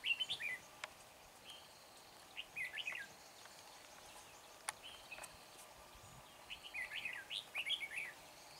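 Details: Red-whiskered bulbul singing to lure wild birds at a trapping site near Hương Pagoda on 24 March; short bubbly chirping phrases recur every second or two, separated by gaps, over a low steady hum and occasional clicks.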